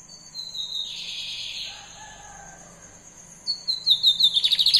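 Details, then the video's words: Brown-plumaged lined seedeater gives one harsh buzzy note, a quiet pause, then a quickening series of sharp high chips, about eleven in a second and a half, against a steady faint electronic whine. "ESSE BIGODINHO PARDO TA LOUCO DE MAIS!"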